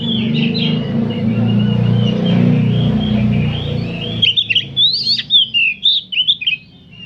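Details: Oriental magpie-robins singing together in the afternoon, a group-song training recording meant to make kept birds spread their tails; a low rumbling background for four seconds, then bright, varied whistled phrases rising and falling in quick bursts.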